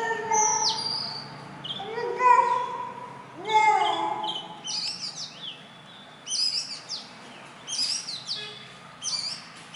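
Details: Indian robin, a small black and white bird living near human homes and singing on a branch or wire each morning and evening; bright, quick chirped phrases sounding in bursts in the second half, with low voice-like tones earlier.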